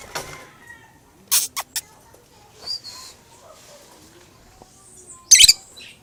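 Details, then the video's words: Lovebird calling in sharp, high, scratchy shrieks: a quick cluster of three near the start, a softer chirp, then a loud harsh burst near the end, with faint household background. "Love bird"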